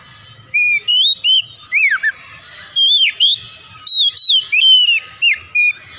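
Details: Oriental magpie-robin song made of sweet whistled phrases. Each note rises or falls, and they come in a steady string of about a dozen short bursts over six seconds. A faint low hum lies behind.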